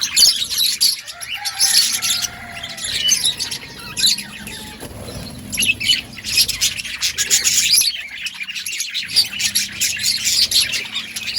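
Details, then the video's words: Budgerigars in an outdoor colony giving continuous high chirps and warbles, with a few longer drawn whistled notes and faint low background rumble. "Budgies chirping sounds in outdoor colony"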